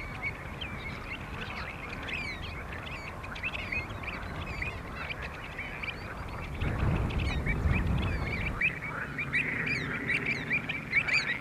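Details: Pied avocets at Skanör and Falsterbo, filmed in June 2015: many short, clear, fluty calls repeated rapidly and overlapping, over steady rushing wind noise that swells in the middle.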